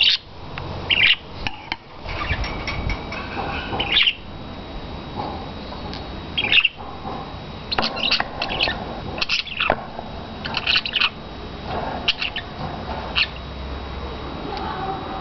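Budgerigars chatter with sharp, scratchy chirps and squawks at irregular intervals.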